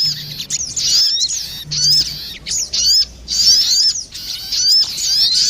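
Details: Crested jays, female and male, calling in answer to each other for luring, giving spaced clusters of high sharp chirps and slurred whistles about every second, with short silences between.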